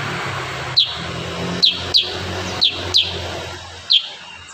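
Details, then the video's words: Kurincang singing in a rapid-fire style, as used for tutoring cage birds: six sharp, high chirps at uneven intervals over a steady low hum and background hiss. "Masteran burung kurincang tembakan rapat"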